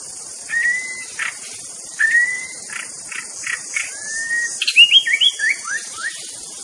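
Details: Wild white-rumped shama singing: short whistled notes repeated about once a second, a drawn-out lower whistle, then a rapid run of rising and falling chirps, against constant high cricket buzz.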